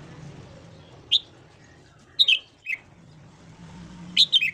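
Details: Red-whiskered bulbul morning song for voice training: a lone short whistled note, then scattered brief warbled pairs of high notes spread over several seconds, with steady faint background hum.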